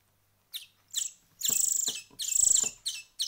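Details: After a week of hand-feeding, songbird chicks start with a few thin chirps. These build into two long, hissing, wheezy begging notes, and brief squeaks follow.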